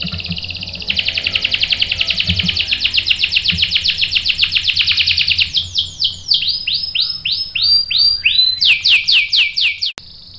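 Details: Canary singing in competition style: a long rapid rolling trill, followed by slower looping downward whistles repeated about twice a second and a short sharp trill.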